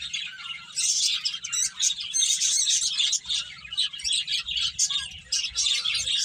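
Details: Finches chirp during eating and play, starting softly then breaking into loud, rapid high tweets and short squeaky notes repeated in tight bursts.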